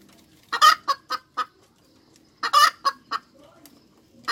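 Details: Cackling hens give two bursts of a loud coarse squawk trailed by three sharp clucks; a faint low sound and the start of a third burst follow.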